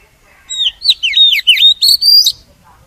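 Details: Oriental magpie-robin song played to lure and trap wild birds and make captive ones sing: rapid sequence of loud, swooping whistled notes and sharp chirps, ending on a rising clear whistle.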